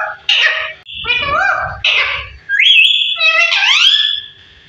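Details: A parrot, said to be 15 years old, talking: a few voice-like rasping syllables followed by a long bright whistle and rising harmonic phrases.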